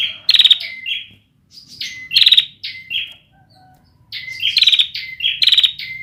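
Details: Bar-winged prinia, a young bird whose song is still developing, giving repeated bright phrases of sliding whistles and harsh buzzy trills, three bursts with brief gaps between them.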